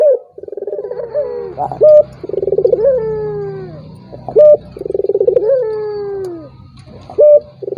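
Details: Turtle dove cooing meant to goad a silent rival into calling: low throbbing coos that rise slightly then glide down, each ending with a brief clear higher note, three phrases in a steady rhythm over a faint low hum.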